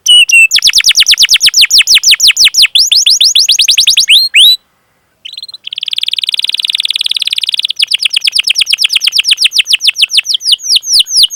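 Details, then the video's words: Canary in long rolling cuit-cuit song, played to train and stimulate young, learning or silent canaries; rapid downslurred rolls, a brief silence, a sustained buzzy trill, then more quick repeated sweeps. "Masteran Suara Burung Kenari Gacor Panjang cuit cuit Ngerol untuk Pancingan Kenari!"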